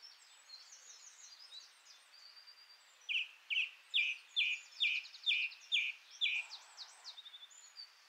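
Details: Song thrush singing: a loud phrase of about eight identical short, sharp notes repeated rapidly, following softer high twittering and thin whistles, with faint calls of other birds in the background.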